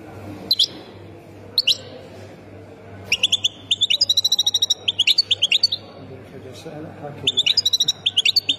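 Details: Goldfinch of the Khemis Miliana song style, Ain Defla, Algeria: isolated high chirps at first, then bursts of rapid twittering and tinkling notes separated by short pauses, over a faint low hum.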